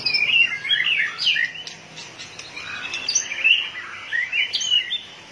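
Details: White-rumped shama, fired up and beating its tail, sings a burst of quick liquid whistles and chatter, followed after a short lull by further rising and falling whistled phrases.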